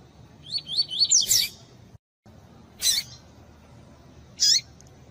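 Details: Tui-tui style double-collared seedeater with female calls used to excite a competition male: a fast series of sharp high chirps ending in a loud rasping burst, followed by two more separate harsh bursts.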